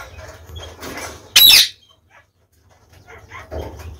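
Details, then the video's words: Female pet budgerigar awaiting a new mate after killing her last one; one sharp, loud, high squawk lasting under half a second, amid faint rustling and low background hum. "Cocorite | In attesa di un compagno"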